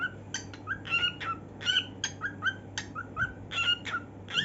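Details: A pet cockatiel, head-banging as it sings, gives a quick run of bright, whistled chirps and warbles, several notes each second.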